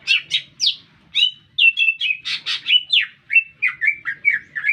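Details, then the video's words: Green leafbird singing at full pace in a city: sharp high chips and upward flicks, then a torrent of bright, overlapping warbled whistles that settle into a quicker series of lower chirps. "Cicak Ijo Gacor Bikin Meledak Suasana"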